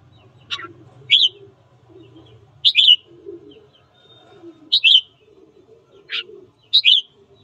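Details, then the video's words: Red-whiskered bulbul in morning song used to rouse birds to fight; sharp, high, descending notes alternate with quick twisted whistled phrases, about one every one to two seconds, over a low hum. "Luyện giọng chào mào hót sáng kích bổi đấu"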